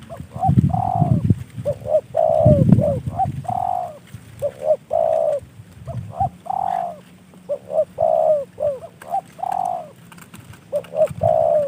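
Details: Caged spotted dove kept as a decoy bird, cooing over and over: paired short notes and longer falling coos in repeated phrases, with low rumbling noise early on.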